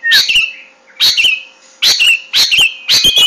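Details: Long-tailed shrike giving loud, harsh, scratchy bursts with ragged edges, repeated in a jerky rhythm about every half second to second. Short quiet gaps separate the bursts.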